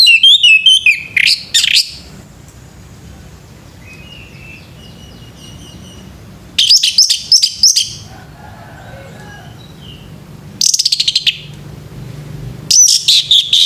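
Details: Morning song of a male orange-headed thrush, given in separated bursts of quick, shrill, varied notes with quiet gaps between them. Softer whistles are heard faintly during the pauses.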